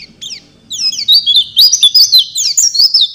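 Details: Singing Oriental white-eye, in full 'isian' style and replying to another bird: a couple of quick chirps, then a rush of bright, jumbled high twitters that grows louder, over a faint low background murmur.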